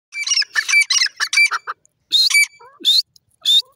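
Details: Wild grey francolin calling: a quick run of harsh, shrill, squawky notes in uneven bursts, then after a short pause three sharper, higher, rising notes spaced about half a second apart.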